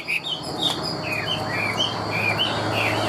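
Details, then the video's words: Tame Chinese hwamei, a large-bodied bird kept for song and fighting, giving a quick run of short whistled notes, about two per second, that dip and rise, over steady background hiss. "Chim họa mi thuần - Bộ To - Hót hét rất tốt"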